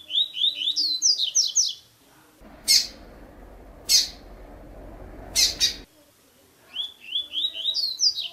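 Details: Captive double-collared seedeater in the tui tui song style, used to stimulate or teach other birds: fast runs of sharp rising whistled notes at start and end, with a noisier middle section of brief loud chirps.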